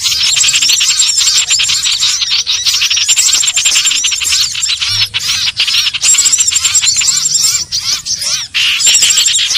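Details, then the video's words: Common iora trapping lure: nonstop high-pitched chatter of many quick notes, rattling trills and looping whistled slurs, loud and dense throughout with only short breaks. "Suara pikat burung sirtu/cipoh"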